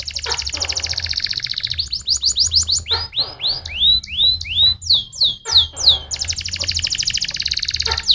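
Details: Canary song intended to stimulate singing: long rapid trills at start and end framing a run of rising swooping whistles and sharp chirps, over a steady low hum.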